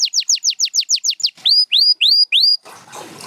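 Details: Canary giving about ten quick falling chips, then four loud ringing rising whistles, each held a moment, then light background rustle.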